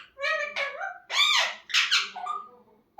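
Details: Pet parrot talking indoors: a short run of squeaky, speech-like syllables with clear rising and falling voiced tones, in a small room.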